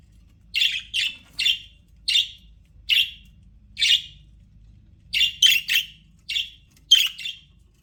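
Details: Pet budgerigars chirping contentedly in an aviary: short, clipped, scratchy chirps repeated about forty times a minute at uneven intervals, sometimes doubled, over a quiet background.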